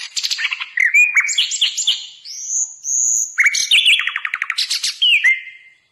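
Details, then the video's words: Hill blue flycatcher song used as a tutor recording for other songbirds: a rapid, varied run of high whistles, chirps and dry trills, with a few long sliding notes, no other sounds. "Masteran Burung Sikatan Londo"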